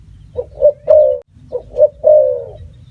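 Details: Two full phrases from a spotted dove, each a short coo, a second coo, then a long drawn note that slowly falls in pitch, over low background hum.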